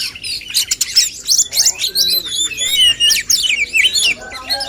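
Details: Male oriental magpie-robins kept to provoke each other's singing: dense, energetic song mixing sharp buzzy rattles with clear rising and falling whistles, nearly without pause.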